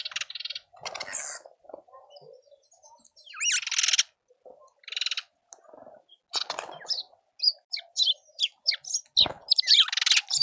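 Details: Speckled mousebirds at a suburban Pretoria garden feeder in South Africa, chattering noisily: many harsh, scratchy, buzzy notes in rapid irregular runs, growing busier toward the end, with a few thin chirps mixed in.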